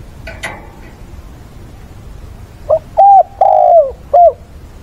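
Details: Spotted dove, a decoy bird calling to provoke wild doves, calling mates and singing a fighting song, recorded on a weekend, 6/9. After faint brief chirps, one loud mellow cooing phrase: a short note, two long level-to-falling coos, then a short closing note.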